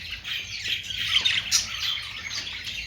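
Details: Budgerigars warbling and squawking together, buzzy grating notes mixed with thin high squeaks.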